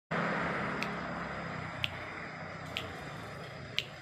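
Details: Steady broadband indoor hum and rumble with a few sharp, clicking snaps about once a second and no animal voice.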